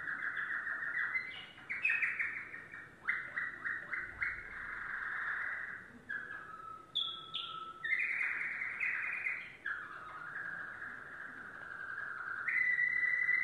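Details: Domestic canary, yellow, in continuous varied song: rapid chirped notes, sweeping whistles and sustained rolling trills shifting between pitches, with brief breaks between tours.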